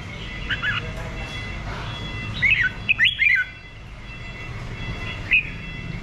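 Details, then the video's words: Red-whiskered bulbul singing: a few short, lilting, warbled phrases in quick succession midway through, with a single brief note later, over a constant hiss of background noise. "Thư giãn nghe chim Chào mào hót"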